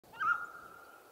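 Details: Mountain quail of western North America giving one loud, short, slightly rising note that levels off into a drawn-out steady tone.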